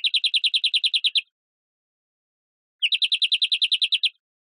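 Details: European greenfinch song of two rapid rolling trills, each about a dozen bright chirped notes in just over a second, separated by a short silence; no background noise.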